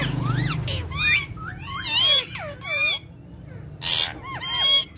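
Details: Talking parrots kept as a family, playing and speaking Urdu and Hindi; this stretch has bursts of whistled, chattering calls with sweeping rising and falling notes, separated by short pauses, over a low background hum.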